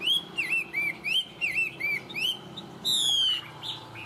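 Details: Tame Chinese hwamei singing well, Vietnam: looping whistled phrases, each a dipping then rising slur, repeated about once a second, ending in a longer, level, bright whistle and a final short note.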